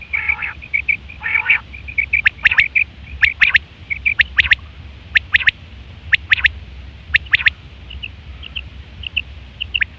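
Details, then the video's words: Quail call from September 2023, described as the common call for hunting and pairing; rapid clipped triplets of high notes recur about once a second among a chatter of short buzzy chirps, over low background rumble. "Quail fresh sound sep 2023/ batair ki awaz"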